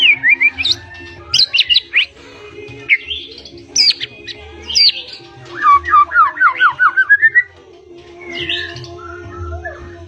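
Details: Blorok White-rumped shama singing vigorously with rolls and bursts: varied whistled phrases, then a rapid run of about ten repeated sweeping notes climbing in pitch, followed by softer warbles and a constant low hum.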